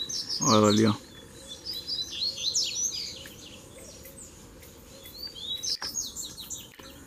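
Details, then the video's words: Song duel among three Double-collared seedeaters that arrived together to fight; a brief loud human voice at the start, then continuous high, rapid chirping and whistled slurs throughout, over low background hum. "VEIO 3 COLEIROS BRIGAR DE UMA VEZ SÓ DUELO DE FIBRA!!!"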